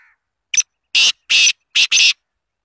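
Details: Black francolin from Azad Kashmir, Pakistan: a short, harsh, grating phrase of five loud rasping notes, the last two run close together, clean with silence around it.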